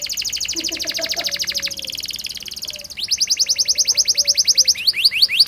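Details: Canary rolling 'ngerol' song meant to coax young canaries into singing: long fast high trills that shift pitch midway, ending in quick downslurred chirps, with a faint low murmur behind.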